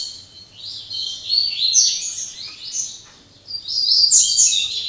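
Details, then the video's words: A Double-collared seedeater sings in late afternoon after singing all day, possibly in Jaboticabal, São Paulo. It gives a rapid, continuous stream of high, sweet chirps and trills, with brief pauses and a faint low hum behind. "Coleira cortando canto"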